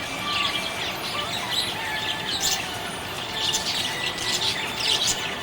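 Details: A happy budgie keeps up a scratchy, twittering chatter of high chirps. Thin whistled tones are drawn out between them, and the chatter grows louder toward the end.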